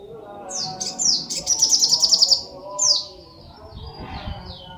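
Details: High, thin sunbird notes: downward-slurred whistles around a short burst of fast trilled pulses, with a low hum and faint rumble underneath.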